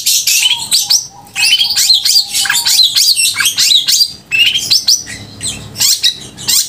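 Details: Long-tailed shrike singing loudly and clearly, a recording for rousing emotion and mating drive in other shrikes; level whistled notes under quick descending high chirps, then bursts of rapid twittering broken by short pauses.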